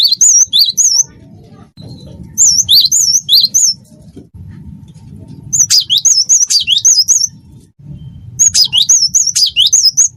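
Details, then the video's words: Cinereous tit, gelatik batu, delivering vigorous wingko song: four runs of fast repeated high whistled phrases with lower slurred notes, each run about a second long and separated by pauses, low hum beneath. "gelatik batu wingko gacor"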